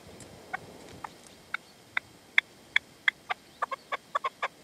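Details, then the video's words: Partridge responding around a decoy (reclamo) at sunset in the sierra near Manzanares on 27 February 2014, male not coming in; sharp clucking notes starting sparse, then bunching into quicker doubled calls toward the end. "PERDIZ Y RECLAMO"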